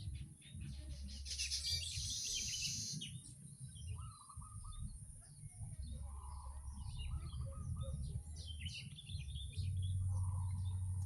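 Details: Many weavers chattering at a busy nesting colony: scattered sharp high chirps and short twittering notes from several birds, a few longer buzzy notes, all over a constant deep background hum.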